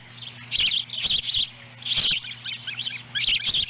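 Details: Osprey family at a ranch nest in Lolo, Montana, July 18, 2017, during a fish delivery eaten by a young bird while a sibling picks up scraps. Bursts of sharp, high chirps in irregular clusters, with rustling and nest noise.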